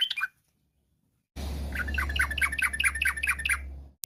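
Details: Sooty-headed bulbul in lively, varied rapid-fire song, meant to prompt other bulbuls to sing: a brief burst, a pause, then a run of quick bubbly chirps over a steady low hum.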